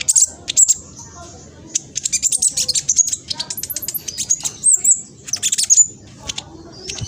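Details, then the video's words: A young spotted black sunbird recorded by phone in East Java, Indonesia, sings a quick, scratchy provoking song: long runs of high, clicking notes broken by sharp whistled peeps, with faint low murmuring beneath. "PANCINGAN KING KONIN TROTOL AMPUH BUAT KING KONIN LAIN CEPAT BUNYI"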